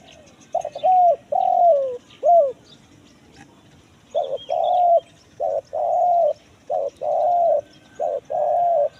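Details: Spotted dove lure recording in the kuk 1 mersik style, used in the forest to draw wild birds; low mellow coos in two paired bursts, each a short note followed by a longer drawn coo, repeated against quiet background hiss.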